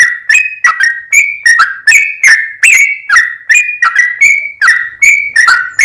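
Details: Lively sooty-headed bulbul song in 'gacor full ropel' style: quick run of warbled whistled notes with small upward and downward slides, about two or three per second, steady and uninterrupted.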